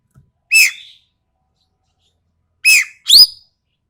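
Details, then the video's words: Sumatran treepie from Sumatra, described as sharp and rough-voiced, used as a tutor recording for training birds: three loud, harsh, buzzy notes with strong overtones, a single note then a quick pair about two seconds later, in silence. "MASTERAN BURUNG EKEK KELING SUMATERA SUARA TAJAM DAN KASAR"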